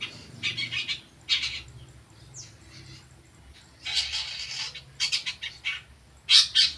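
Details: Long-tailed shrike learning sounds: clusters of harsh, rasping broadband notes delivered in irregular bursts, with quieter gaps between groups and a few scratchy squawks.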